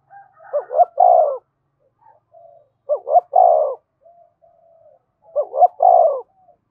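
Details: Repeated coo phrases of a spotted dove, used to stimulate fighting: three phrases roughly two and a half seconds apart, each of short jerky hoots ending in a fuller, falling coo.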